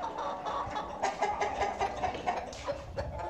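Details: Chicken on a farm clucking in a run of short, mid-pitched pulses, several in quick succession with uneven spacing, over faint background rustle.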